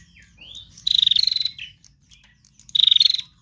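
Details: Trotol-style song of a female prinia used to lure other birds: a rising thin note, then two loud pulsed buzzy rattles about two seconds apart.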